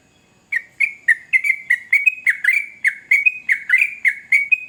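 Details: After a moment of quiet, a male sooty-headed bulbul launches into bright bubbling song, fluty slurred whistles in short phrases repeated close together, growing steadily in a busy sequence.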